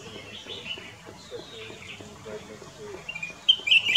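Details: A Black-crested bulbul sings faint, bubbly, warbling phrases ending in a few louder sharp chirps, with a low voice murmuring underneath, at Camp Hornbill, Kyari Village, Corbett National Park.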